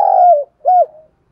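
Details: Spotted dove cooing: two low, hollow, mellow coo notes, the first long and slightly falling, the second shorter and arched, in a quiet setting.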